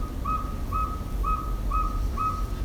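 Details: A Northern Saw-whet Owl gives a steady run of short, mellow whistled toots, about two per second, on one pitch, over a low rumble; inserted sample call, for a winter sighting of an owl roosting in a pine and mobbed by blue jays and chickadees.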